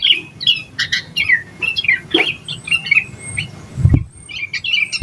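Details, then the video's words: Energetic yellow-vented bulbul song, used as a lure to get other bulbuls singing: rapid jumbled warbling notes with a thin steady whine and a low hum beneath, briefly pausing near the end. "Suara Burung Trucukan Gacor EMOSI KOSLET Full Isian Buat Pancingan Burung Trucuk Agar Cepat GACOR"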